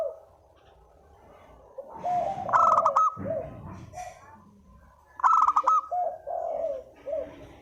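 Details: Spotted dove giving a lure coo used for trapping: soft, low, hooting coos in short phrases, overlaid by two loud, harsh, buzzy bursts with a rich ringing tone.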